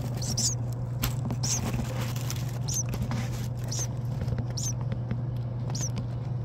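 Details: Newborn native bird chicks nesting in a dryer vent in spring, calling while the parents are away finding food: thin, high, downslurred chirps repeated roughly once a second over a steady low hum and soft scratching.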